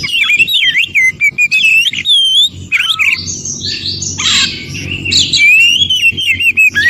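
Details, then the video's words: Oriental magpie-robin in the wild, singing to stimulate caged birds that have stopped singing: quick wavy whistles and high sweeps, then a harsh scratchy rasp, ending with a steady run of whistled notes. "Terapi Kacer macet bunyi.kacer mana pun langsung Respon Degar suara Kacer yg 1 ini SUARA ASLI HUTAN"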